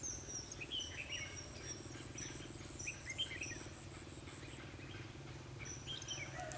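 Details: Red-whiskered bulbul during a trapping session with a lure bird on 21 December 2015, giving fighting song: scattered short whistled phrases, some rising and falling, over a steady high insect hum and a low rumbling background.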